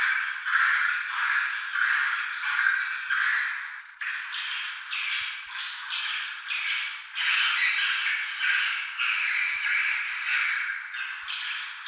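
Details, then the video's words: Swiftlets recorded at Tambunan as proof of their presence there: a dense chorus of overlapping buzzy, chirping twitters, rising and falling in bursts with brief dips near the fourth and seventh seconds. "Bukti burung Walet ada dii Tambunan"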